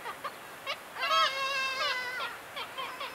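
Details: Wild Black-legged Kittiwake in a mid-May breeding colony on the Ona/Sandøy island group, Norway: a loud, drawn-out, nasal wailing note of about one second. Short clipped calls from other kittiwakes come before and after it.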